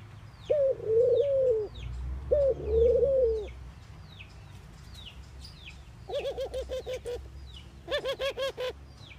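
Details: Two soft, moaning mourning dove coos, each a rising first note and a long wavering hoot, followed by bursts of quick, harsh repeated notes from another source, with faint high bird chirps throughout.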